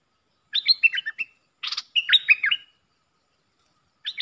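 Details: Puff-throated bulbul decoy calls meant for schooling young birds: rapid chattering runs of bouncing whistled notes, a brief broadband rasp between two phrases, then another burst starting at the end.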